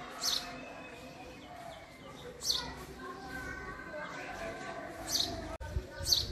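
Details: Sparse house sparrow chirps, short and piercing, repeated at irregular intervals of one to three seconds against a constant low rumble.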